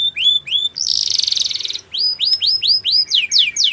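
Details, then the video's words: Belgian canary song opening with two rising whistles, then a dense buzzy rolling trill, followed by a series of clear upward-swept whistled notes repeated about five times a second. "The Best Canary Singing!! Belgian Canary Song"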